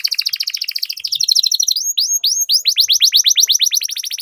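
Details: Canary song played to make other canaries sing and roll: a continuous buzzy trill flowing into a steady run of rising-then-falling whistled notes, several per second.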